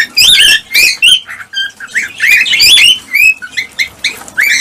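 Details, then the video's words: Breeding-stimulation sound of cockatiels: a busy string of rising, harmonic whistled notes mixed with raspy chatter, loud phrases alternating with short softer whistles. "حفز طيور الكالوبسيت(الكوكتيل) على التزاوج والإنتاج بهذا الصوت القوي"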